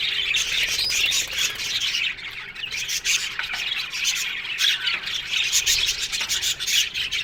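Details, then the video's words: Many budgerigars in a colony aviary squawk and chirp at once, a thick high-pitched chorus of scratchy calls with rapid sharp notes throughout. "One Day Parakeet's Sounds Budgies Love Birds HD Sounds"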